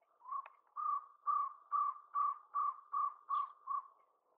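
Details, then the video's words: A jungle owlet calling in Tadoba National Park, Maharashtra, India, in February 2020 gives a run of about nine hollow, mid-pitched notes, a little over two per second, swelling in volume and then fading away. "Jungle Owlet (Calling)"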